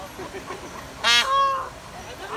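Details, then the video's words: A female Indian peafowl (peahen) gives one loud, harsh, honking call lasting about half a second and ending in a brief nasal tone, against a quiet background. "Female peacock calls"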